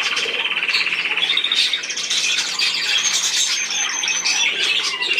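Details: Budgerigars chattering in a dense, continuous stream of scratchy warbles and buzzy notes, with quick trilled runs and overlapping voices throughout.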